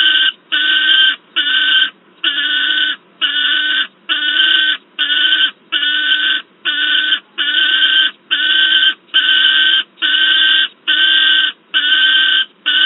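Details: Persistent screaming by a noisy young peregrine falcon, Wałbrzych, Poland, 10 August 2022, near an adult: about fifteen rasping cries in a fast, regular run, a little over one per second.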